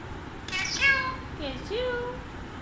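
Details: ['Pet Alexandrine parakeet at home, described as a chatty talking parrot, giving a harsh, strongly layered squawk lasting about half a second, followed by a shorter bent, speech-like note, against low room noise.']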